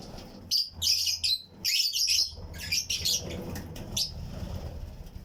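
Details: Lovebirds, Fischer's and lutino, chirping in a flight cage colony with other birds: a loud cluster of shrill, rapid chirps in the first three seconds, then fainter isolated tweets over low hum.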